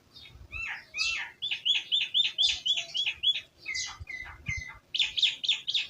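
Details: Village birds chirping steadily, rapid series of high sharp tweets and clipped whistled notes, several per second, with faint low background sounds of a village.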